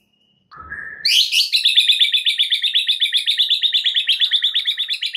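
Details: {'text': 'White-rumped shama song played to prompt other birds to sing, a fill-in-rich lure; a low rising note sweeps sharply upward into a long rapid series of chattering, evenly pulsed high notes.'}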